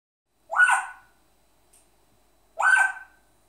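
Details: African grey parrot imitating its owner's hiccups indoors: two short, abrupt hiccup-like yelps about two seconds apart, each a brief harmonic burst that drops away quickly, in a quiet room.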